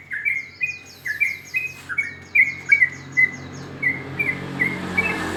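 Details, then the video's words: Morning song of a sooty-headed bulbul, short bright whistled notes repeated at a quick, uneven pace, with a series of thin descending chirps from another bird above and a low background hum. "Suara trocok ropel dipagi hari"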